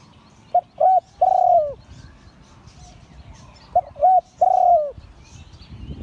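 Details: Spotted dove of an auspicious line crowing Liu Tan style, delivering two matching three-note phrases roughly three seconds apart. Each has quick paired coos leading into a long falling note. Background murmur rises at the end.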